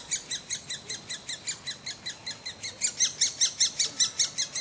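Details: Woodpecker recorded in 2007 calling in an even, rapid train of piercing high notes, about two and a half per second, getting louder toward the end.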